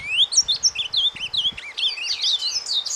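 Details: Soft surdina warbling from an ultramarine grosbeak, the kind used to excite a breeding flock: a rising opening whistle, then jumbled twittering phrases, with faint low knocks during the first half.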